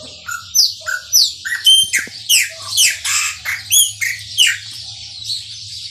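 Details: Maranhãozinho-style song of a chopi blackbird that sings a lot: rapid, evenly spaced clear whistles and down-slurred chirps, each phrase topped by harsh, buzzy overtones, about a dozen notes in under six seconds over a steady low hum.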